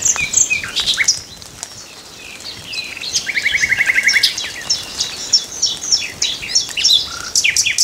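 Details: Common nightingale singing a varied song of sharp high chirps, trills and whistles. A brief quieter pause comes early, then a fast, even rattle of repeated notes in the middle, followed by more bright twittering phrases.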